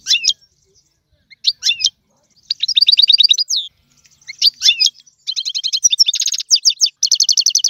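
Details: Goldfinch tutor song in tiwawati style, sharp high chips separated by pauses, then longer twittering phrases mixed with fast buzzy rattling trills toward the end.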